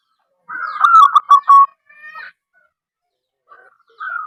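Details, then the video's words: Local zebra dove, actively calling, used to lure other zebra doves into calling: a quick cluster of low cooing notes ending in a held note, then a shorter softer phrase, a pause, and a new phrase starting. "perkutut lokal gacor suara aneh"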